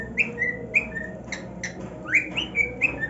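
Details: Singing male cockatiel at his new nest, a pet bird, giving clear whistles that slide upward and hold, interrupted by brief clicks, with a faint hum underneath.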